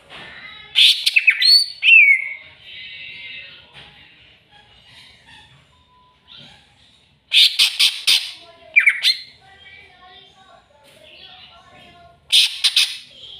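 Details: Greater green leafbird singing when provoked by a rival: three bursts of harsh, rasping chatter mixed with sharp downslurred whistles, separated by quiet pauses with faint background twitters.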